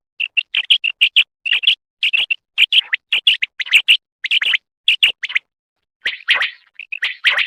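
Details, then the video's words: Female call of the common quail, used for hunting in Khyber Pakhtunkhwa: quick, high, chirping notes in rapid clusters, a short pause, then rougher, buzzier chirps. "batair sound"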